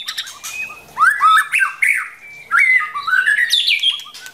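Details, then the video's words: White-rumped shama pair from the forest, the female coaxing the male into practice singing: rich rising and falling whistled slurs in quick succession, separated by short pauses, with faint clicks. "Chim chích chòe lửa rừng mái kích trống luyện giọng"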